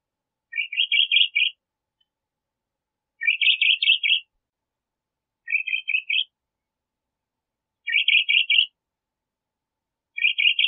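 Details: Crissal thrasher giving a series of short, rapid, chattering phrases of clustered high notes. The similar bursts come about every two and a half seconds over a silent background.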